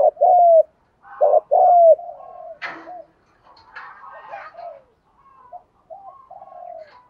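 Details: Spotted dove cooing for decoy-bird training: two loud deep coo phrases open, followed by a sharp click and quieter overlapping coos and soft notes fading toward the end.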